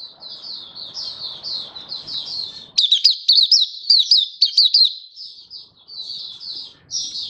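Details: Kept Malaysian white-eye in Singapore, warm sunny day, 20 March 2023, singing happily: soft continuous high warble, then a loud run of sharp, quickly repeated slurred chirps before easing back to quieter twitters; faint low background murmur early on.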